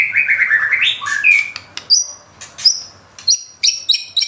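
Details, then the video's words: Murai batu, or white-rumped shama, shooting out a nembak phrase with isian: a rising and falling warbled whistle, then sharp high-pitched chips and thin squeaks, spaced a little apart. "Murai batu nembak isian gacor"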